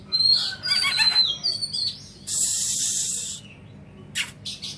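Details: Oriental magpie-robin song opening with quick high whistles and twittering notes, followed by a loud sustained hissing, rasping burst and a few sharp clicks near the end.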